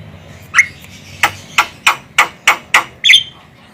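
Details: Female Javan myna call used to lure birds: short sharp harsh notes with high clicky tops, about seven in a row at irregular spacing, over a quiet background.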